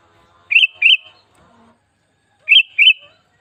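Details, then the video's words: Sooty-headed bulbul, a kept cage bird, singing to stimulate other bulbuls to sing: two paired whistled phrases, each of two quick liquid notes, two seconds apart. "Pancingan Burung Kutilang BIAR GACOR || Pancingan Kutilang Ngamuk"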